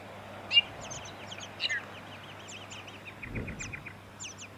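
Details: Tawny-crowned honeyeater recorded in Victoria, Australia, in September 2017: a busy run of high, looping, slurred notes, some rising and falling, delivered quickly, with a brief low thump and faint hum beneath.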